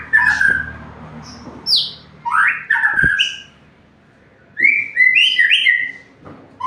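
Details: White-rumped shama in full song, a string of clear whistled phrases with sharp upward and downward slides and short bursts of varied notes, broken by brief pauses, over a faint low hum.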